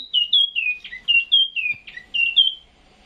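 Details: A caged Chinese hwamei (Garrulax canorus) sings at 2 a.m. before being moved to Vũng Tàu: a rich run of clear, slurred whistles, each phrase falling from high to mid pitch, in quick succession with a few soft knocks behind.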